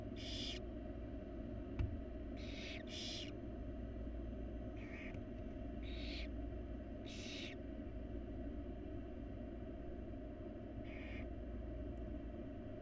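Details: Begging barn owl chicks in a wild nest box, being fed by their mother, give a series of rasping hissed screeches of varied length, some doubled, scattered irregularly over a constant low background hum.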